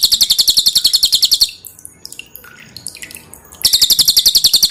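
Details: Cage-bird training recording of a pin-striped tit-babbler with a loud, close-set song and clear dripping water. A short burst of rapid piercing notes gives way to two seconds of faint chips before the fast series returns.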